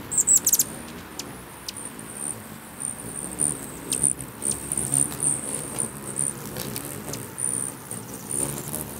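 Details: Hummingbirds fighting at a crowded feeder in Bigfork, Montana: a sharp burst of shrill chirps at the outset, then intermittent thin high squeaks over the soft drone of wings.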